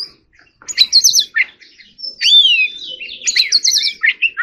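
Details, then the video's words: White-rumped shama in full song, trilled high notes, a long clear rising-falling whistle and fast chattering runs blended together, with faint low room noise beneath. "choè than hót líu || Kacer Gacor"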